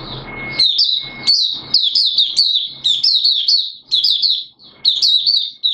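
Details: Hobby Oriental white-eye of Malaysian origin singing 'buka sing' in Singapore on 29 March 2023, warm and humid with sudden showers: a stream of high, lively twittered notes in short bursts, with a faint steady tone behind.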